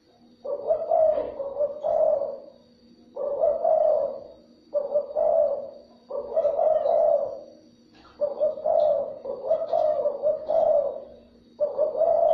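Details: Spotted dove calls used to lure and stimulate other doves; a long series of husky, mid-pitched coo phrases, about seven bursts in twelve seconds, each with two or three rolling notes, over a low steady hum.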